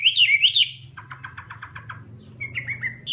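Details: Chinese hwamei gives looping whistled notes, then a quick series of about eight short repeated chips, followed by softer slurred whistles, with a low humming background.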